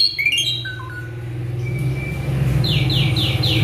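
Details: Male Asian pied starling, said to be worked up, gives a few descending whistled notes, then a long thin whistle and a series of four rasping buzzy strokes, over low hum.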